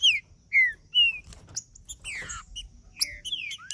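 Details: Green-winged saltator male in macheando condition, singing to stimulate another male: three strong down-slurred whistles about half a second apart, then busier overlapping chirps and a rising whistle, with faint low rumbling behind.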